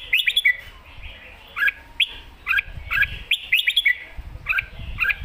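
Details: Caged red-whiskered bulbul performing a master-style song, with clusters of quick warbled notes followed by paired whistled phrases that drop then rise, repeated at uneven intervals with brief pauses between bursts.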